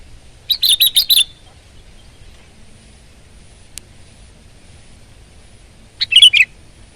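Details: Sooty-headed bulbul singing actively: a quick burst of bright, bubbly notes, then a long quiet pause broken by one sharp click, followed by another short, rapid phrase of rich chattering notes.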